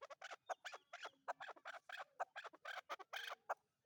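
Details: Chukar partridge, known as chakor, in a rapid, crowded run of harsh clucking notes with faint thin whistles behind them.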